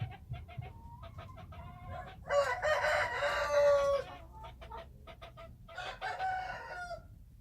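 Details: Wild chickens calling: scattered clucks, then a long harsh crow in the middle lasting about two seconds, followed by more clucks and a second shorter crow, over a low rumbling background.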